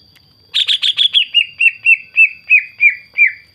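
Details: Song of a greater green leafbird used as a lure to provoke other green leafbirds: a burst of rapid buzzy notes slowing into clear, evenly spaced whistles that fall slightly in pitch.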